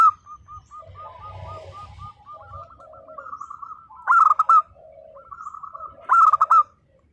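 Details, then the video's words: Local zebra dove song: a run of soft, evenly spaced coos builds into two loud, rolling, trilled coo phrases about two seconds apart, with faint coos trailing after. "perkutut lokal gacor _suara nembak perkutut lokal bisu_"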